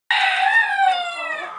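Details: Orpington rooster calling his hens after finding grain in the straw: one drawn-out, harmonic-rich call held at a steady pitch, then slowly fading over about a second and a half.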